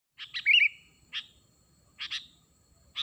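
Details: Sooty-headed bulbul calls used to lure wild birds: short bright chirps in quick pairs, then a clear rising-and-falling whistled phrase, with further brief chirps spaced about a second apart and faint low background noise.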